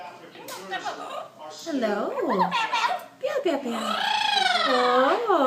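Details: A pet double yellow-headed amazon parrot in a small indoor room makes mimicry noises: a string of speech-like, giggling sounds with swooping up-and-down tones, about three a second.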